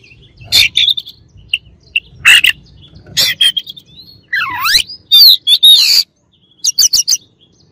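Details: Oriental magpie-robin song meant to agitate rival birds: loud, varied bursts of sharp chirps and buzzy notes, a sweeping downward-then-rising whistle near the middle, then quick clipped notes at the end.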